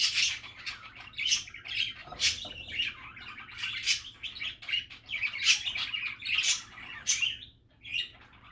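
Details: Relaxed, happy budgie chatter: scratchy warbled phrases punctuated by sharp high chirps roughly every second, a steady lively flow throughout.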